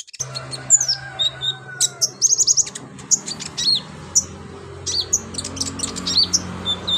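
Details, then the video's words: Lively konin, the olive-backed sunbird, song intended to train other birds: irregular high chirps, sharp ticks and short clusters of rapid notes, over a low steady hum. "BURUNG KONIN GACOR LINCAH BONGKAR ISIAN COCOK BUAT MASTERAN"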